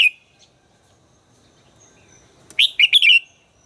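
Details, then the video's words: Red-whiskered bulbul, a bird whose voice is being trained, gives one short whistled note, then after a pause a quick bright phrase of four warbled notes; otherwise quiet. "luyện giọng chào mào hót hay - căng lửa, chào mào hót quá phê"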